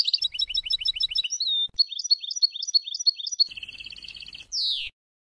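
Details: European goldfinch melodious song, recorded in 2020 to tutor young goldfinches and hybrid mules: fast bright twittering phrases and repeated chirps, a buzzy trilled section, ending in a rising slurred whistle.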